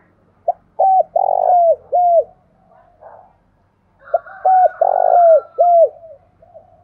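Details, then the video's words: Calling spotted dove from Đồng Nai, Vietnam, forest hills, giving two repeated phrases of soft mellow coos, a brief lead note, a drawn-out purring middle coo and a clipped ending, with a faint higher tone under the second phrase. "Tiếng chim cu gáy thúc và gáy gọi vang cả núi rừng Đồng Nai"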